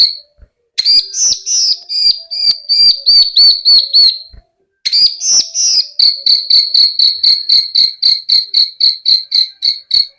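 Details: Lark song in two bursts: rapid, high, sharply repeated notes, many per second, with a steady ringing tone running through and a short silent gap in the middle.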